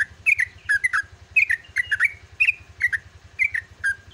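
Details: Yellow-vented bulbul pouring out a continuous dawn 'gacor ropel' song, quick rolling two- and three-note chirps repeated almost without a break over a soft low pulsing background.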